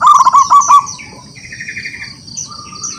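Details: Wild local zebra dove singing actively, calling rivals to answer: a short burst of rapid, rolling cooing notes lasting under a second, then fading, while other small birds chirp and whistle high above throughout.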